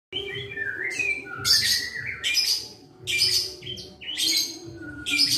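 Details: Young white-rumped shama kept by a bird keeper since it was a chick, singing melodiously. The song is loud and continuous, mixing sliding whistles with harsh, bright bursts roughly every second, over a low steady background hum.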